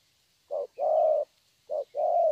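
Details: Spotted dove, a young bird praised for its fine voice, repeating a two-part coo twice: short soft note, then a drawn-out rolling coo, against quiet background.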